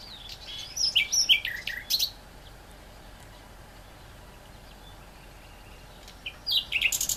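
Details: Great reed warbler singing two separate loud phrases of rasping, chattering notes, the first about two seconds long and the second after a pause of roughly four seconds with only quiet background.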